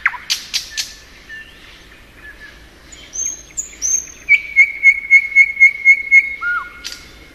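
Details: In spring a thrush nightingale gives clicks and soft notes, thin whistles, then a steady run of about eight evenly spaced pulsed notes and a falling slur.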